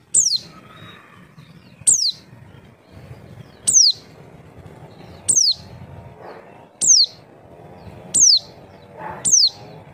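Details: Lure call of the Javan white-eye, meant to make birds reply: seven high, thin, steeply descending whistles spaced about every one and a half seconds, with faint low hum beneath.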